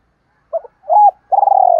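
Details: Challenge call of a spotted dove, meant to stir other doves: a brief double note, an arched coo, then a long trembling coo that ends abruptly.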